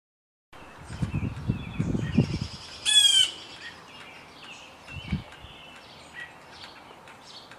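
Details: A Blue Jay tormenting a cat with dives gives a single loud, harsh, rasping call, with faint chirps of other small birds and low thumps and rumbling in the background.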